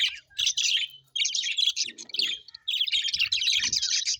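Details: Pet budgerigars chirp happily in bursts of rapid, bright, warbling twitter separated by short pauses, with faint low knocks in the background.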